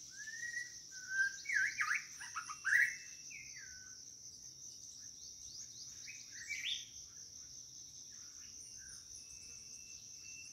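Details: White-rumped shama calling for a mate: a long whistle followed by rapid trilled phrases, then quieter scattered notes against a steady high insect buzz.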